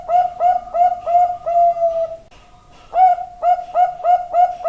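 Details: Zebra dove song: a run of soft, rapid cooing notes, each a short hooded coo with rising then falling tone, repeated quickly in two bursts separated by a brief pause, ending in a longer drawn-out coo; quiet background.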